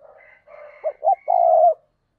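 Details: Spotted dove used as a decoy to lure wild doves into cooing: faint soft notes, then two short hollow coos and a longer sustained coo, in quiet surroundings.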